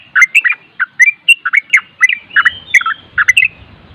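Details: Trucuk, the Yellow-vented Bulbul, delivering nropel song: cheerful warbled whistles in quick couplets and triplets, slurring up and down, with a soft low rumble near the end.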